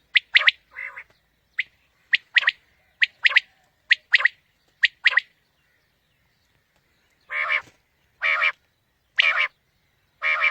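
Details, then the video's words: Quail calls used to lure quail for morning hunting: sharp three-note phrases repeated roughly once a second, then broader, harsher bursts spaced about a second apart, with no other sounds. "Quail Calling 2020 | Batair Ki Awaz suba ki shikar Ki liye"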